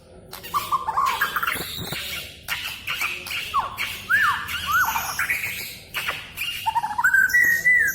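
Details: Oriental magpie-robin singing in a way said to sound like talking: a varied run of short whistled slurs, rising and falling squeaky notes and harsh squawks, rapid and irregular, ending in a clear sustained whistle.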